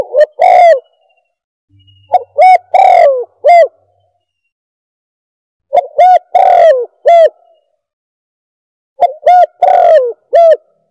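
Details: Calling spotted dove sound played to lure doves: three phrases of four or five coos, short clipped notes around a longer slurred, falling coo, with several seconds of quiet between phrases.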